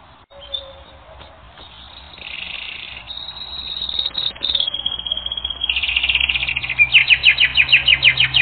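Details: Canary song from a training recording, starting with quiet hiss and faint buzzy tones, then building into a bright rapid trill of repeated high chips in the final seconds.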